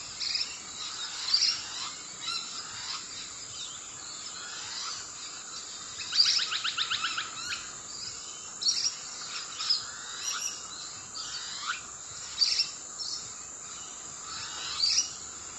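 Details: Musk lorikeets feeding on eucalyptus flowers give shrill, high screeching notes in short bursts every second or two, with one buzzy rattling phrase, over a steady hiss of background noise.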